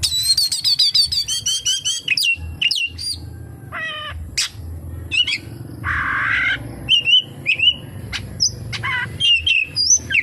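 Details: Song of an oriental magpie-robin full of kapas tembak imitation: a rapid chattering trill opens, followed by scattered sharp chips, a harsh rasping burst, and bright whistled slurs.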